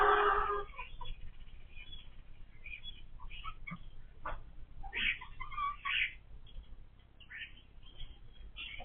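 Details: Domestic hens kept by a first-time chicken keeper, grown noisy since they began laying eggs: a loud harsh squawk opens, followed by scattered short clucks and chirpy notes at irregular intervals.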